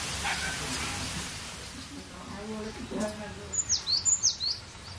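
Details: Cinereous tit, singing freely: indistinct voices and background noise come first, then a short burst of high, downward-sliding whistled phrases, about five, near the end.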